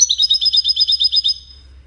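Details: One of five 'widaniya' European goldfinches entered in a singing contest gives a rapid trill of bright, identical chirps, about seven per second, for just over a second before falling silent over a low steady hum.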